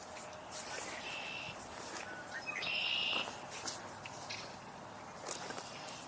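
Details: Red-winged Blackbird singing outdoors on a March 21, 2026 walk with snow on the trails: a short whistled note, then a louder buzzy trill about a second later, with light footsteps and faint chirps from other birds.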